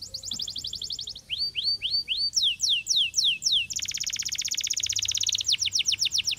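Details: Canary singing a varied song: a quick trill, then upward-sweeping notes and downward slurs, ending in a long, very rapid rattling trill.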